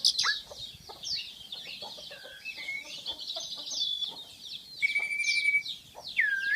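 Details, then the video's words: Black-winged myna delivering a rambling song of scratchy high chatter, dry rattles and several clear whistled notes, ending in a loud looping slurred whistle, quiet background. "Suara burung jalak curen"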